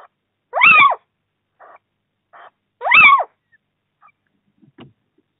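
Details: Little owls in Bommelerwaard during the first prey transfer of the new breeding season, 4 March 2024: two loud, harmonic mewing calls, each rising then falling, about two seconds apart, with faint soft sounds between them.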